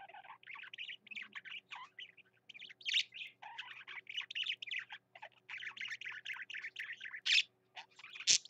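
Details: Enthusiastically singing male parakeet, a nearly unbroken stream of twittering chatter, buzzy notes and sharp squeaks, with a sharp click near the end.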